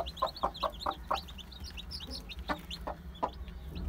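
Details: Day-old chicks of Aseel, Heera, Java and Muska breeds: many high, short cheeping notes sweeping up and down overlap rapidly, mixed with sharp knocking taps and a steady low hum underneath.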